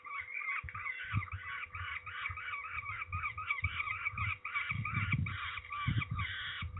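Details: Peregrine falcons at Trzebież, Poland, on 13 May 2019, calling during ringing: harsh, grating calls repeated in a steady series, with low thumps and handling noise beneath.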